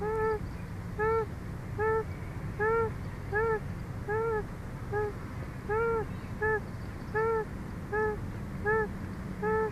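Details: Female bald eagle at a Big Bear nest filmed by a live cam on a hot day, making soft repeated calls beside her panting mate; about fourteen clear, arched, slightly nasal notes, roughly one every 0.7 seconds, over low steady hum.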